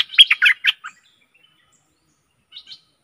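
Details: Stripe-throated bulbul decoy song for aggressive wild birds: one short, rich bubbling phrase under a second long, then near silence and a faint few notes at the end.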